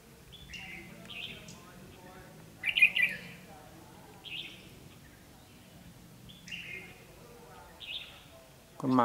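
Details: Red-whiskered bulbul at a decoy trap in Vietnam, 13 February 2016, singing to challenge a rival; separate whistled, warbling phrases spaced a second or two apart, one louder burst, faint voices and a thump at the end.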